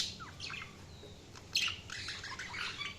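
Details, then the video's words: Budgies chirping with quick high squeaks, short downward-sliding whistles and scratchy chatter in a short busy burst. "Budgies Sounds| Budgies Chirping sound"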